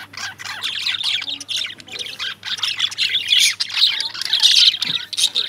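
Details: Several lovebirds keep up a steady chorus of shrill, scratchy chirps and short squawks, overlapping constantly and swelling louder toward the end.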